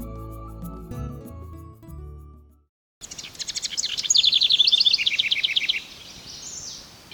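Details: In early July in woodland of the Oldman River Valley, southern Alberta, a House Wren inspecting a possible nest site in a hollow tree sings a high bubbling trilled run for about two seconds, after soft music, over faint hiss.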